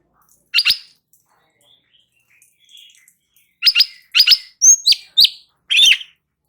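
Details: A light-vented bulbul sings steadily as training audio to prompt other birds. It gives one opening double chirp, a pause with faint calls, then a run of sharp chattering notes and clear whistled slurs.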